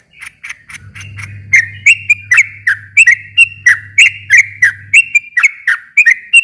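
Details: Sooty-headed bulbul in lively, long rapid song used as a lure to provoke a silent bulbul into answering: bubbly, rising-and-falling chirped phrases repeated about three times a second, with a low steady hum underneath for much of it.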